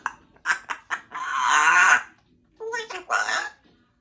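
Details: A pet grey parrot, a talking African Grey, chats one afternoon indoors in short, speech-like bursts, then gives a long raspy syllable and a few rising whistled notes in a quiet room.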